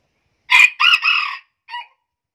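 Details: Crow of a hybrid junglefowl billed as the highest-voiced in central Vietnam and the Central Highlands: a sharp, loud first syllable, two sustained shrill notes, then a short trailing note after a pause, over silence.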